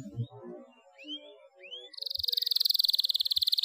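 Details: Canary in breeding condition, singing to stir lazy canaries into song and to arouse females: two rising whistled sweeps, then a fast, even, high-pitched trill of rapid pulses, after some low tonal sounds at the start.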